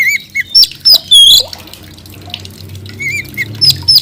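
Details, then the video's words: Oriental magpie-robin: a fast cluster of clear whistled notes and slurs, followed by a quiet pause, then softer whistles resuming. "coba mp3 kacer gacor ini"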